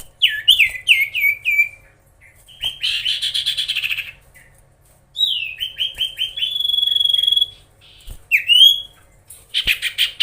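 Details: Oriental magpie-robin song meant to rile rival birds: descending whistled notes in quick series, scratchy buzzing stretches, a sustained high whistle and sharp upslurred calls, loud and continuous with brief gaps.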